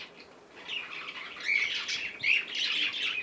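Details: A baby cockatiel during playtime chatters in raspy chirps and squawks that grow louder, with a few sharp rising notes.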